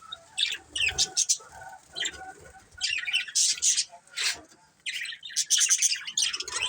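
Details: Colourful budgerigars give bursts of high chirps and squeaky warbles separated by short quiet gaps, with some lower background sounds between bursts.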